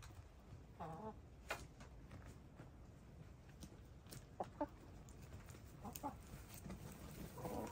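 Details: Hens dust bathing, gray, lavender, blue and black birds flinging dirt: short, widely spaced clucks and murmurs roughly every few seconds, set against continuous low rustling and scratching in the soil.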